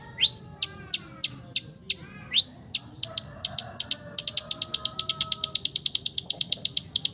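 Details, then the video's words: Full mimicked material from a long-tailed shrike that copies other birds: two rising buzzy sweeps with sharp ticks between, then a fast, even rattle of clipped high notes. "MERDU SUARANYA, BISA MENIRUKAN SEGALA SUARA JENIS BURUNG | CENDET FULL MATERI"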